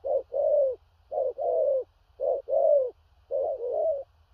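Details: Spotted dove with a large build cooing in 'thổ rặc' style with a stuttering delivery. Four phrases pair a short hollow note with a longer wavering coo, spaced about a second apart. Steady low background hum.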